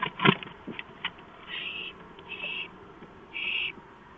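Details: An owl on a porch in the early morning dark of 5 April 2015; a few sharp knocks are followed by three drawn-out, breathy hisses.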